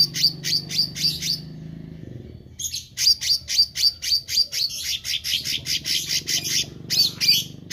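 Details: Meranti bird singing actively, pouring out quick, evenly paced high chirps, about four per second, in two long runs split by a brief pause. Faint low droning sits in the background.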